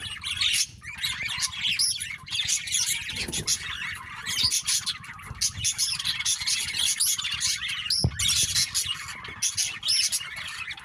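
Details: Noisy fighting among many birds: continuous shrill chirping mixed with raspy squawks, rising and falling in loud bursts over a low background rumble.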